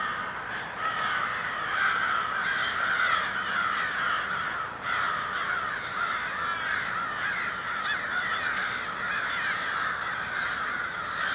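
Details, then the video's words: A crowd of crows, Minneapolis, Minnesota, winter day of 20 February 2020, calling nonstop; countless harsh caws overlap into a thick, unbroken chattering roar. "A Murder of Crows"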